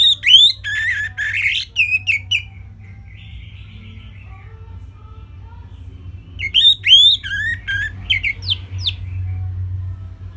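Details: Orange-headed thrush giving its simple song as a master recording for birds to learn: two loud outbursts of fast, harsh, buzzy and whistled notes, the first fading into softer twittering, with a long quiet gap and low hum.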